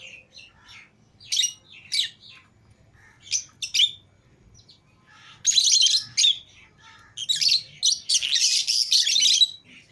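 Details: Pet lovebirds, a green Fischer's pair and a lutino pair, out of their cage together with other lovebirds, giving sharp, high, harsh chirps in short bursts, then a denser run of rapid overlapping chirping in the second half.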